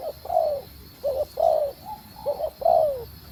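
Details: Female spotted dove calling to stimulate the male, loud and close: a rapid sequence of short notes and long descending coos, about six elements in just over three seconds.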